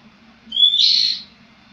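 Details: Oriental magpie-robin, used as a lure call to prompt silent magpie-robins: one short note, a clear high whistle breaking into a harsh, buzzy rasp, over a faint low hum.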